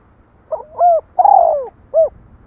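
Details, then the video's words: Spotted dove giving one cooing phrase: a short wavering lead-in, a long hoarse falling coo, then one rounded terminal hoot. The background is quiet. "Tiếng chim cu gáy"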